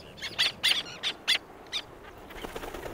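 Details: Black-naped terns at close range with wing beats: a series of six short, harsh, high squeaky calls spaced about a quarter second apart, then fainter distant chatter.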